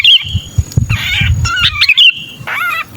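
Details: Trapped sooty-headed bulbul used as a lure: a drawn-out sharp whistle, then rough buzzy squawks and another whistled note, over thumping low noise.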